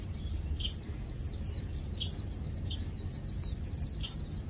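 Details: Lowland white-eyes at rest, feeding and preening utter rapid high-pitched twitters and sharp downslurred chips in loose bursts, with steady low noise beneath.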